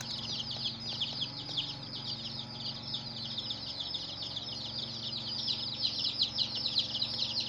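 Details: Chicken chicks, the young of a hen, peeping constantly in a dense chorus of high, short downward-sliding notes, several overlapping at once, with a faint low hum behind.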